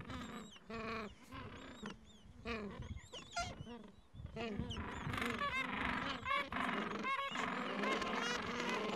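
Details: Gentoo penguins in a Falklands breeding colony on a mild afternoon, parents with chicks aged two to three weeks at nests; honking, pulsed brays repeated quickly, growing louder and busier toward the end, many callers.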